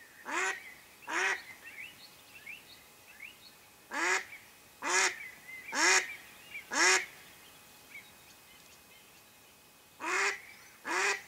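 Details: Mallard hen kept to lure wild ducks while hunting quacks repeatedly: broken groups of loud, hoarse, nasal quacks, about nine in all, with pauses between the bursts and faint bird chirps behind them.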